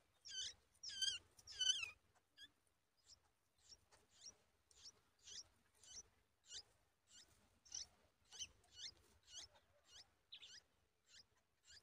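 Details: Yellow-tailed bulbul nestlings being fed a large spider by a parent; high squeaky chirps in quick pulses, loud at the start, then softer repeated squeaks roughly every half second.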